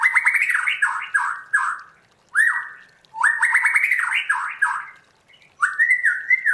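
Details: White-rumped shama, a kept bird trained to sing in a wild-style voice, delivering rich whistled phrases that slur downward, grouped in bursts with brief pauses between phrase groups.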